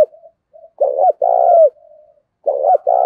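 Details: Decoy spotted dove cooing to stimulate other doves: low, mellow phrases, each two short throaty notes then a longer drawn-out purring coo ending in a downward slur, with faint soft notes between phrases.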